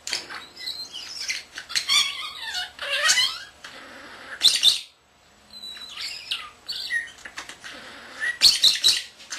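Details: Captive common starling, a male not yet a year old, chattering and mimicking indoors: rapid squeaky chirps, warbled slurred notes and sharp clicks, a brief pause around five seconds, then a final burst of high ticking notes.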